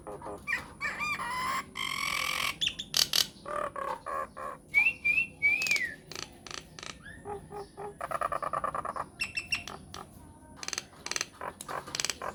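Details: Myna lure recording to bring answers from other mynas: a long varied medley of harsh buzzes, clicks, a wavering whistled phrase, low croaking notes and fast ticking chatter.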